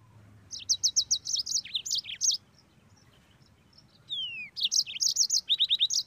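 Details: Yellow-fronted canary in full song, a burst of quick high repeated notes and trills, a pause with one long falling whistle, then another fast rolling phrase of sharp notes.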